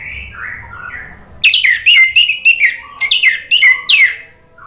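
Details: Orange-headed thrush (anis merah) song played as a lure so birds answer and sing freely: softer warbled notes lead into a rapid, loud series of sharp, bright whistled notes, each briefly repeated, with a short break midway.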